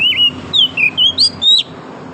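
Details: Wild oriental magpie-robin singing in the morning in forest: a quick series of clear, sweet whistled notes, some sliding up or down, six phrases packed into two seconds over soft background noise.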